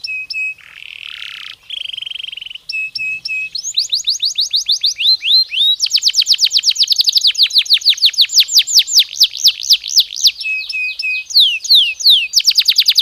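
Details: Canary song intended to boost breeding activity: steady flat whistled tones and a buzzy stretch open it, then long runs of rapid repeated sweeping notes, changing speed and shape in varied tours.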